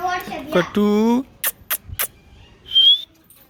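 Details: Talking pet cockatoo, dancing at home, gives hoarse voice-like syllables with a gliding pitch, followed by three sharp clicks and a short, bright, rising whistle.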